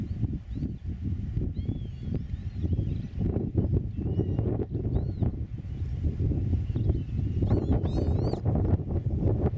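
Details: Eurasian oystercatcher at a meadow nest, recorded from roughly 8 metres: scattered faint piping notes, then a quick burst of several loud, sharply arched calls near the end, set against heavy low rumbling noise.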